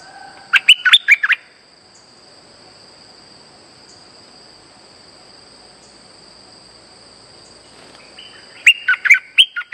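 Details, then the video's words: Streak-eared bulbul lure call used for trapping: two short bursts of chirpy, slurred notes, one at the start and one near the end, separated by a long quiet gap, over a steady high electronic whine. "Suara pikat merbah lekir gacor"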